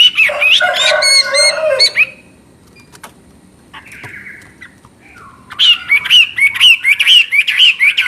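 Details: Chinese hwamei with a clear voice: a dense two-second burst of bright and buzzy whistled phrases, then near-silence with a few clicks and a soft call, before a run of looping, ringing whistles resumes.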